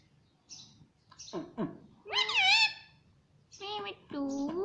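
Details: Parrot at home mimicking the word "mummy": short clipped syllables, then a loud wavering harmonic call, then two evenly pitched speech-like notes.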